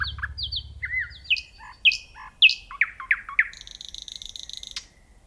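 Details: Varied nightingale phrase of quick slurred and sweeping notes at changing pitches, finishing in a sustained buzzy rattle.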